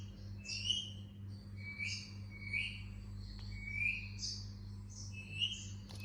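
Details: Indian ringneck parakeet chirps: short rising notes spaced about a second apart, alternating with fainter higher twitters, over a steady low mains-like hum.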